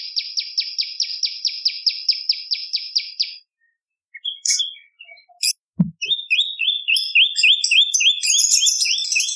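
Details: Energetic bar-winged prinia song meant to lure birds and train other songbirds: a fast, even string of bright chirps for three seconds, a pause with scattered notes and a thump, then a new run of lower, slurred chirps under high twittering.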